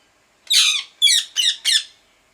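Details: A parrot giving four loud, harsh, high squawking chirps in quick succession, each dropping slightly in pitch, in a quiet room.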